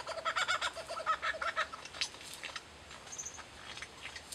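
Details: Lyrebirds mimicking kookaburras and laser guns: a quick run of repeated harmonic notes, rhythmic and cackling, rising and falling in loudness for about a second and a half, then fading into scattered softer calls.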